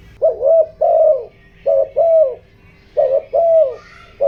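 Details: Spotted dove used as a decoy, cooing in the 'giọng đồng' voice meant to rouse wild doves; paired hollow coos, a short note then a longer drawn one, repeated roughly every 1.3 seconds over a low hum.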